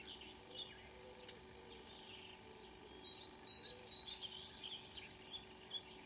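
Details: Marsh warbler singing at 5 a.m. on 2 June 2009 at Kråkstad near Ski, Norway, with a couple of singers present; scattered high chirps and short whistled notes, then a denser run of quick twittering phrases in the second half.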